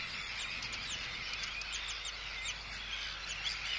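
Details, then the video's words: Arctic terns at a colony giving anxiety and threat calls at an intruder, recorded close up, with chick calls; a dense overlapping chorus of harsh, high rasping calls and short slurred notes continues without a break. "Arctic Tern. CU Anxiety And Threat Calls At Intruder. CU Calls From Chicks."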